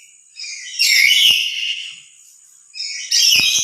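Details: Lory's loud call, given when emotional and louder when alone than with other lories: two raucous, ringing screeches separated by a brief quiet spell, with faint clicking sounds beneath.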